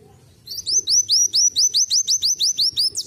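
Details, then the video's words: Kept sunbird that has learned canary song fills its repertoire with it, singing a fast run of high, upslurred chirps at about five a second in a canary-like style. "akhirnya isian burung kenari masuk .KOLIBRI WULUNG RASA KENARI"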